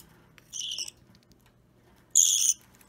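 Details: Budgerigar nestling about three weeks old, a green or Opaline pet hand-fed at home on 30 March 2017, restless; two harsh hissing begging calls, the second louder and buzzier, separated by over a second of quiet.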